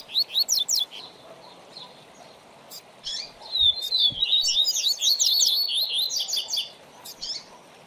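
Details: Double-collared seedeater (coleiro) with a teaching song for young birds: a few quick high chirps, a pause, then a sustained, jumbled warble of rapid whistled and buzzy notes for about three seconds, one faint knock.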